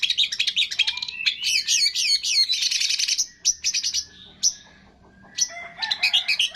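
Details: Long-tailed shrike song for training captive birds, mixing imitations of cililin, greja tarung, lovebird, tengkek and kapas tembak: dense chattering twitters and zipping notes, a near-silent gap, then scattered sharp chips.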